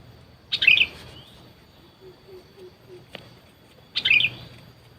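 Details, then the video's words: Sooty-headed bulbul calls used in luring wild birds, which ignored the lure: two short bright bubbly chirp bursts about three seconds apart, with faint low tones and a click between them. "Pikat burung kutilang"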